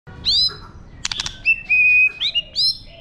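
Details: White-rumped shama singing in wild-type style, used to stimulate birds: clear whistled notes with sweeping upward slurs, a short burst of rapid clicks, then long steady whistles and rising phrases.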